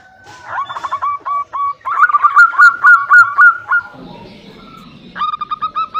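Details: Local zebra dove female calls a male with accelerating series of curled notes, a louder rising run in the middle, a pause with low noise, then more evenly spaced repeats.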